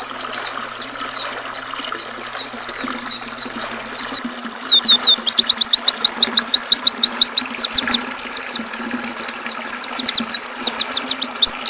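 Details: Oriental white-eye song combined with river sound for training and calming caged birds: first a gentler string of high slurred notes, then from about five seconds a louder, very rapid chatter of crisp whistles in long bursts, water hissing beneath.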